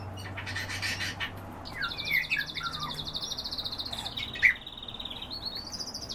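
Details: European bee-eater giving short, bright, rolling calls around two and four seconds in, over a steady buzzy high pulsed trill that runs through the middle and end, with a low hum in the background.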